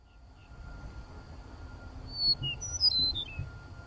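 Eastern meadowlark singing a brief run of clear, slurred whistles sliding downward from high to lower pitch, over a steady faint hum and low rumble.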